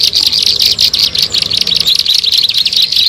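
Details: Bar-winged prinia call used to lure birds: dense, rapid chirps repeated without pause, high and sharp, forming a continuous buzzy chatter throughout.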